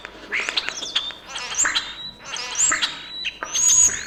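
A single European starling sings a rich jumble of whistles, clicks, rattles and high squeaky notes in quick bursts about every second, with no other sounds.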